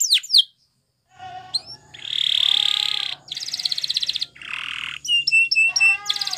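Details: Spanish Timbrado canary song for training, with sharp falling notes, a long buzzy trill, rattling rolls and clipped metallic notes over a low background hum.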